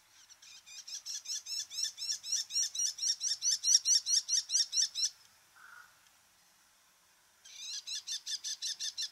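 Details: Bull-headed shrike, one of Japan's birds of farmland, grassland and waterside, giving a fast series of shrill, harsh repeated notes, about two to three per second. The series grows louder, stops for a short gap, then resumes.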